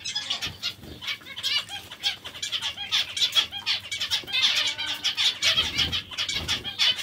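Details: Zebra finches feeding on vegetables give a dense chatter of short nasal, harmonic beeping calls, overlapping almost continuously, with soft rustling and faint low thumps beneath.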